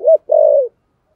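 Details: Spotted dove, thổ sấm style coo: one short rounded hoot, a brief gap, then a longer steady low coo that slides slightly downward, on a quiet background.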